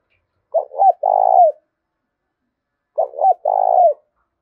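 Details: Clean recording of a spotted dove cooing to provoke fighting: two identical low phrases, each a pair of short hoots then a sustained falling coo, separated by silence.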